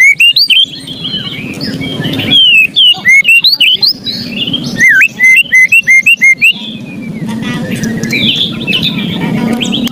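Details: Agitated white-rumped shama giving its ketrekan, used to provoke reluctant birds into singing: bursts of harsh, rapid rattling ticks alternating with bright looping whistles, over a low steady hum.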